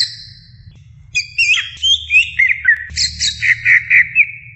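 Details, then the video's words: Greater green leafbird song: quiet start, then varied warbled phrases ending in a rhythmic run of repeated chirps about four per second. "masteran suara burung cucak ijo calon juara"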